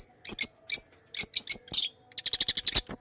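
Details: Pet lovebirds chirping: short high sharp chirps in small clusters, then a quick run of rapid chattering notes near the end.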